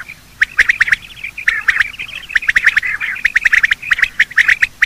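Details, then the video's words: Quail calls of male and female, a morning sound used for quail hunting; dense overlapping burst of sharp, clicking squawks and chirps, rapid and irregular, with several birds calling together. "Quail calling sound: master the Art of Quail tripping | Bater Awaz Subha"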